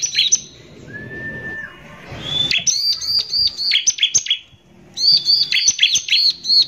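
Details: Bar-winged prinia (ciblek) singing vigorously in a harsh 'nembak kasar' style used as a lure. Loud bursts of high, sharp, clipped notes in rapid stuttering runs, a thin level whistle near the start, and a quiet pause mid-clip.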